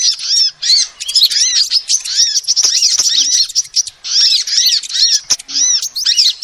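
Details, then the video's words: High-pitched chattering of a female sunbird, a lure call: quick strings of bright, arching tweets repeated in bursts about every second, with brief pauses and occasional sharp clicks in between. "SUARA ASLI KOLIBRI BETINA"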